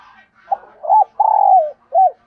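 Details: Spotted dove coo used to attract other doves: soft stuttering notes, a rising arched coo, a long burry note sliding down, then a short arched ending note, with faint background hiss.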